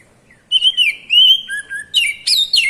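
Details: Kacer, the Oriental magpie-robin, in rich whistled song: sweet slurred notes, a lower two-note dip, then rapid, sharply modulated high whistles and twitters, clear against a silent background.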